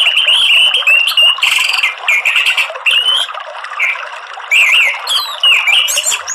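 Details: Orange-headed thrush singing in the morning in a loud, open ngeplong style: a dense stream of whistled phrases, slurred and wavering notes, with short rising and falling sweeps and sharp high chips between them, broken by brief pauses.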